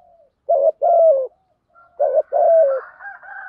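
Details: Spotted dove, cooing in the Thổ voice and used as a decoy to attract wild doves: two paired coos, each a brief note followed by a longer burry falling coo. Another bird's thin whistling chirps are heard near the end.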